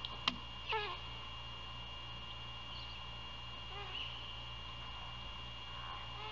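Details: Great horned owl at a nest near Savannah, Georgia, during a nighttime prey handover and feeding at 1:38 AM on 27 February 2022. Two sharp, downward-sweeping squeals come close together at the start, then fainter rasps, all over a steady electrical hum.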